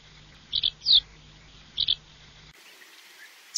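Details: Swallow of Russia uttering quick paired high chirps and a single downward-sweeping note, then a quieter stretch ending with one thin high call.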